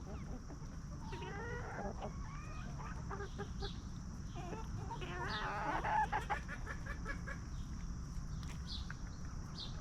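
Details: Several free-range hens roam and feed in a backyard yard, uttering rapid series of short clucks and rising calls, overlapping, amid constant low rumble and faint high hiss.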